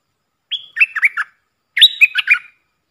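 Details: Puff-throated bulbul call used as a decoy for training young, hand-fed birds: a high whistled opening note followed by bubbly, warbling chirps, then a second richer phrase of rolling, downslurred notes.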